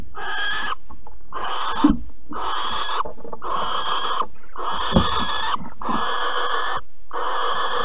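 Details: Seven drawn-out, wheezy rasps from a barn owl at Alphen on 15 April 2020, during mouse prey delivery and mating. Each call lasts under a second, with even pauses between them.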